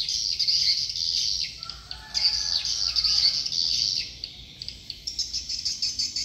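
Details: Swiftlets of Dương Tơ commune, Phú Quốc, giving quick high chirps in clustered bursts, with a brief pause midway before the chorus resumes.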